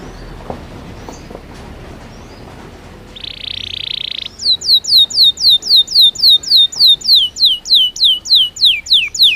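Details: Belgian canary singing naturally for training; after a quiet start and a short hissy burst, a regular series of sharp downslurred notes repeated about three times per second, evenly paced.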